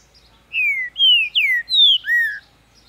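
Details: A captive-raised green-winged saltator (Saltator similis) in Ribeirão das Neves, Minas Gerais, Brazil, singing energetically: five loud, clear whistled notes, mostly slurring downward, in quick succession over about two seconds; quiet background.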